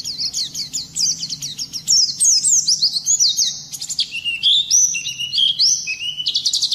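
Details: Oriental white-eye in strong rolling song used to incite other birds to sing: quick high whistled slurs tumbling downward, then louder buzzy sweeps and sharp chattering notes.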